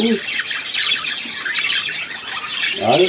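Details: Budgerigar chatter from 3 April 2017: a dense, high, scratchy warble running throughout, with brief lower voice-like sounds at the start and end.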